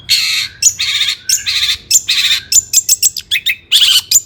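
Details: Long-tailed shrike singing agitatedly to goad rival shrikes: loud broad harsh screeches alternating with shorter sharp chips in a hurried, uneven rhythm.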